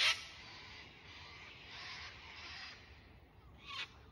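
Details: Sulphur-crested cockatoo (Cacatua galerita) gives harsh, grating screeches, a few rough bursts spread over four seconds, one sharp at the start and another near the end.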